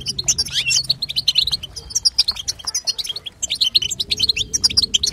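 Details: Hen European goldfinch calls meant to trigger a male's singing: bright, fast twitter of clipped high notes and brief trills, dipping briefly near the middle before resuming, with low background hum.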